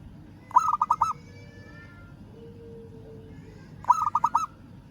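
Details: Local zebra dove calling a rival: two quick phrases of staccato coos roughly three seconds apart, with faint thin whistles from another bird in the quiet gap.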